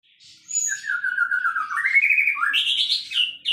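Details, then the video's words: White-rumped shama, a singing bird kept as a champion songbird, delivering a continuous rich song: a long whistled phrase sliding down then rising, followed by higher sweeping notes and a brief high whistle near the end. "relaxing Bird sounds murai gacor juara"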